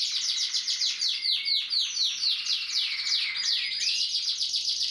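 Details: Gloster canary in song, delivering quick runs of sharply descending chirps, about four a second, with a short steady whistled note in between.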